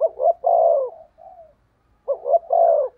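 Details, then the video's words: Decoy spotted dove cooing to draw in wild doves: two quick stuttered notes then a long, slightly falling burry coo, a soft trailing note, then the phrase begins again. "Chim Cu Mồi/ cu gáy thúc gù cực đỉnh kích bổi dợt mồi hiệu quả"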